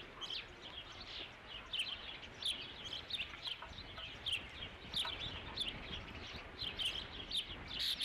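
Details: Repeated high, piercing chirps from an Osprey at its nest at Dunrovin Ranch, 3 July 2016, as the fifth fish is brought in; about one and a half calls per second, uneven in rhythm, over constant low rumble.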